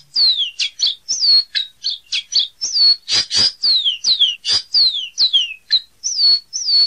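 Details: Caboclinho seedeater in steady full song: rapid, repeated high whistles that sweep down and level off, alternating with harsh buzzy notes, continuing without pause for seven seconds, with no other sounds.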